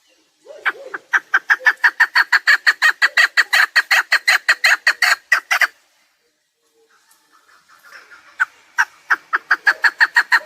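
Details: Harsh repeated chuk notes of a chukar partridge, recorded as a hunting call, build into a fast run lasting about five seconds. After a quiet gap, fainter calls return and swell into another rapid series.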